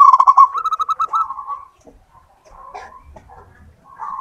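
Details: Local natural perkutut, a zebra dove, singing strongly as a lure. It opens with a loud, rapid staccato roll that slows into a drawn-out coo, followed by a faint pause and a final soft coo.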